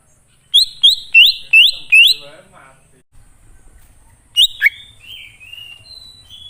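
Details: Greater green leafbird lure song meant to make wild birds answer, loud ringing upslurred whistles in a quick series of five, a pause with faint low noise, then two sharp notes and gentle falling warbles.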